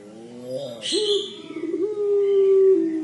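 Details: Puter pelung dove giving its 'crying' coo: a short gliding note, then a long, steady, drawn-out moaning tone that holds level to the end, with a brief hiss partway through.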